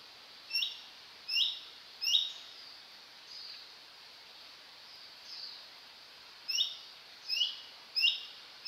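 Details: Male Orange-bellied Leafbird calling in Hong Kong: crisp upslurred chip notes in short bursts, roughly three quick calls, a quiet pause with faint softer notes, then another run of four; no other clear sounds.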